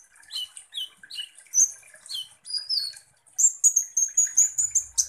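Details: Kolibri ninja sunbird lure song meant to provoke other birds: scattered high chips and slurred whistles, then a fast run of sharp, evenly spaced piercing notes near the end.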